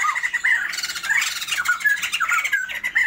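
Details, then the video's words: A caged Sumatran white-crested laughingthrush pair kept for a breeding attempt, giving unbroken raucous cackling with rising and falling harsh notes packed closely together. "POKSAY JAMBUL SUMATERA GACORRR"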